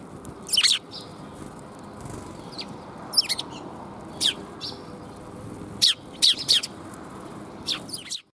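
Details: Sparrows coming for food on 13 February 2021, on the way out: short, sharp chirps given singly or in pairs every second or so, over a steady low background rumble.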